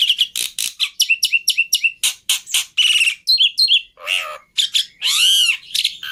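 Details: Black-winged starling lure and master song with rich fill: quick chirps and clicks repeated in a steady run, a few whistled slurs, then a long harsh rasping note.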